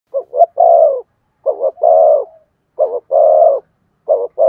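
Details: Spotted dove cooing to rouse a decoy bird into calling: low, mellow phrases of two short quick notes followed by one longer drawn-out coo, repeated about every one and a half seconds in a quiet setting.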